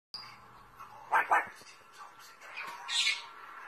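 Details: Pet Timneh African grey parrot imitating a duck's quack, which it does when it wants attention or is nervous: two short harsh nasal bursts in quick succession, then softer scattered calls and a brief higher squawk near the end, in a quiet room.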